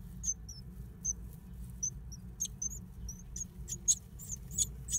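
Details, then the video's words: Great tit nesting inside an old stove, giving short, high, piercing notes spaced about a second apart, then coming faster and denser near the end, above a constant low hum. "Great tit (parus major) nesting in an old stove"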